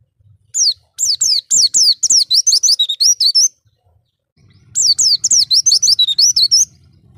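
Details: Lure song of an Oriental white-eye meant to attract other birds: two bursts of rapid, high, twittering whistled notes, each lasting about three seconds, separated by a short pause, with a soft low hum.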